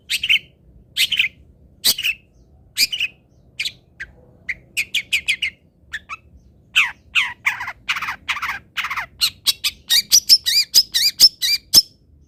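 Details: Long-tailed shrike training song: a varied, quickening run of harsh chatters and clipped notes that builds into rapid bursts, ending with higher whistled inflected notes; faint low hum beneath.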